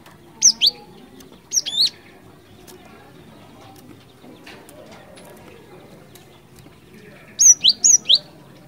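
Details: Cinereous tit song of the ngerol ngeplong type, used as a lure: two high paired whistles early on, a long quiet gap, then a quick string of four piercing slurred notes near the end.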